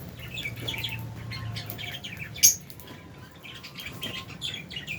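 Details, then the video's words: Lovebirds, albino and Fisher's, kept in a cage, giving quick high chirps in scattered bursts, one sharp louder squeak near the middle, over a low background hum. "Lovebirds Chirping Sounds"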